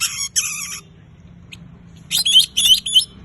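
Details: Oriental magpie-robin, song to get silent birds singing: an opening harsh scratchy burst, a near-silent gap, then three quick bright whistled notes with buzzy overtones.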